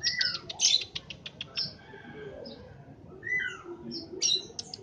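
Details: Tame, chatty captive scaly-breasted munia singing: bursts of thin, high chirps and short twittering notes, some squeaky rising slurs, with pauses between phrases and faint background rustle.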